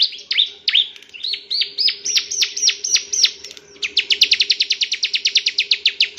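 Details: Bar-winged prinia, a male bird, singing a rapid series of high downslurred chirps, first spaced then speeding into a fast regular trill of sharp notes in the second half; a steady low hum runs underneath.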